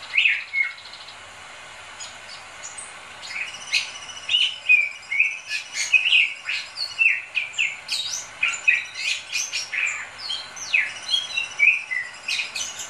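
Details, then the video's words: A Bali myna sings a lively, varied run of whistles, chirps and harsh buzzy notes, mostly high-pitched and delivered in quick bursts after a brief pause. "Suara jalak bali gacor"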